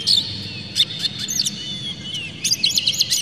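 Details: Oriental magpie-robin singing in an excited state with tail spread, used to provoke other magpie-robins into song. Short, scattered high chirps and clicks, then a quick chattering run near the end.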